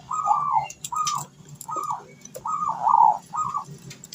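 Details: Local zebra dove singing in the 'ngalun kung bulat' style, used as a lure to get other doves to sing. Short, rounded cooing notes are repeated in an uneven series over faint background hum.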